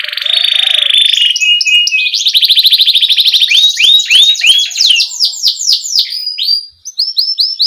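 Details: Tutor song for very young canaries, a canary rolling nonstop in ngerol style with cuit cuit chirps: a dense buzzy trill, a descending run of swooping whistled notes, then spaced high upslurred chirps.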